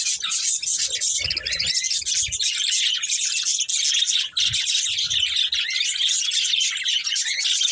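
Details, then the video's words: Budgerigars in a breeding pair chatter continuously, with scratchy warbled chirps and high squeaks forming an unbroken babble and a few soft low bumps. "Cute Budgies Chirping Sounds"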